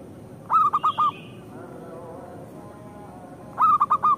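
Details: Song of a local zebra dove, kept to stir rival birds into singing. It has two short bursts of four quick, ringing coo notes, separated by about three seconds of quiet background hiss.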